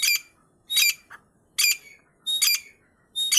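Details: Female partridge, called Irani teetar, repeating hoarse, grating squawks about every three-quarters of a second, each burst rough and slightly stuttered, with no other clear sounds around it.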